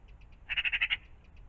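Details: A single short magpie rattle in the morning near a pond, five or six quick grating notes in under half a second, framed by faint ticks.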